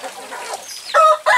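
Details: Free-range village chickens, a rooster chasing and mating a hen after both are let out of the coop. Soft nasal clucking is followed by two short, loud squawking bursts.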